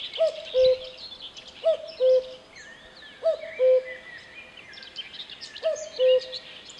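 A cuckoo gives a clear, falling two-note 'cu-coo', repeated four times at roughly one-and-a-half-second intervals, over a background of high chirping from other birds.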